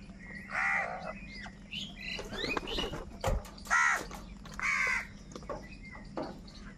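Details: Crows in a food fight, with hoarse caws mixed with rustling and other noisy sounds, a few loud rasping calls standing out.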